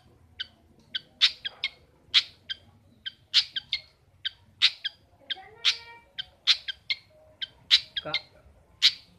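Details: Household long-tailed shrike (pentet, cendet) calling gacor: a dense irregular run of clipped harsh notes and occasional louder rasping bursts, roughly two or three per second.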